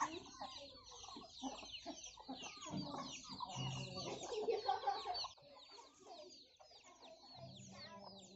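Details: Hens with many chicks feeding on young rice put out by farmers: busy low clucking from the hens mixed with constant thin, falling chick cheeps, the clucking easing off in the last seconds.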